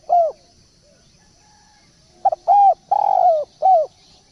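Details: Spotted dove decoy call: an arched coo, a pause, then a phrase of a stuttered double note, a hooked coo, a long burred coo sliding down and a final drooping coo.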